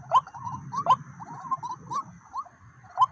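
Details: White-breasted waterhen at a decoy, two birds responding: sharp rising notes repeated roughly every half second over a low rumbling background.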